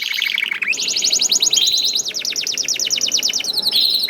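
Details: Young canary lure song intended to start other canaries singing, made almost entirely of fast rolling high trills that shift pitch, over a steady background hiss.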